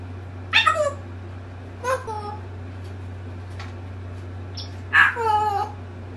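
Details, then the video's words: Pet African grey parrot talking: three short, speech-like phrases with falling, drawn-out notes, spaced a second or more apart, over a steady low hum; its words include "pow pow pow", "peekaboo" and "woof woof woof". "African Grey Parrot talk some words ( Peekaboo )"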